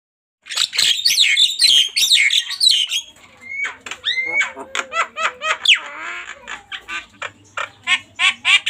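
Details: Javan myna in full 'tembakan' song: a dense burst of harsh chattering and squeaky notes, then a series of sharp rising whistled and clicking notes repeated roughly every half second.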